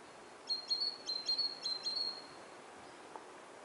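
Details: A great tit sings in autumn, a quick run of about seven high, ringing note pairs over under two seconds, then stops, with soft background hiss.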